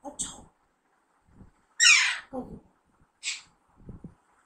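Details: Alexandrine parakeet, a young bird in talking training. It gives a loud, harsh squawk and shorter scratchy calls, mixed with low human speech-like sounds before and after.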